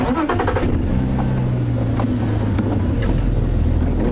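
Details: Loud vehicle engine rumble and revving fill the recording, with voices talking over it; no animal sound is heard.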